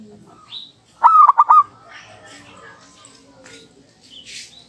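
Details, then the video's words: Local zebra dove singing prolifically as a lure: a single short phrase of a mid-pitched, staggered cooing trill of three or four quick pulses, followed by quiet background with faint distant sounds. "Duet Perkutut Lokal Gacor Saling Bersahutan"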